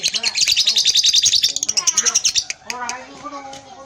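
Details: Lovebird chattering with a long ngekek, a rapid run of harsh, high chattering notes repeated about three times a second, fading into softer lower warbling tones toward the end.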